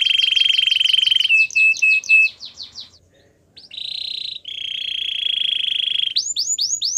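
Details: Belgian canary training song: a buzzy fast trill, a run of short repeated notes, a brief pause, then long steady rolling trills and a few bright descending swoops at the end.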